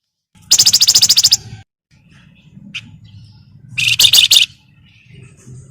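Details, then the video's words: Javan myna, locally flamboyan, in energetic chattering meant to lure other birds into singing. Two harsh, fast-pulsed rasping bursts about three seconds apart over a low background hum. "BURUNG FLAMBOYAN GACOR CRECETAN BUAT PANCINGAN"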